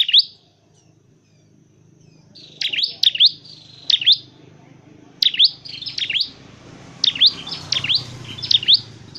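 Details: Dark-necked tailorbird, a bird kept for training and trapping, gives loud, sharp, high V-shaped notes in quick pairs and triplets with short pauses between bursts; faint low hum underneath.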